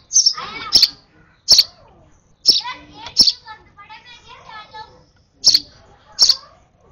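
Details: An over-excited sparrow nestling being hand-fed chirps in high, sharp bursts, some in quick pairs. A stretch of soft human speech comes in the middle.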